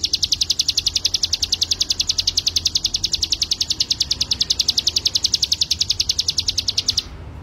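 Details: Song of the mountain white-eye (cigun, ciblek gunung), played as training material for birds: a long, steady run of high, clipped notes repeated rapidly and evenly, ending abruptly near the close.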